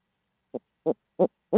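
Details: Barred owl from Midtown Tulsa: four short, low, breathy hoots spaced about a third of a second apart, each a little louder than the last, with nothing else audible.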